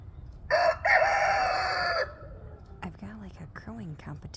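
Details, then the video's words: Roosters alternating in a crowing competition: one loud harmonic crow with a short opening note and a long steady held tone, followed by quieter clucking or speech-like sounds. "If you love the sounds of roosters crowing."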